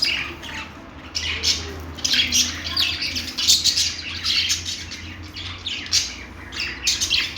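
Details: Parakeets, or budgies, give bursts of scratchy, high chirping and chattering squawks, louder phrases arriving roughly every half second after a quieter start, over a steady low hum.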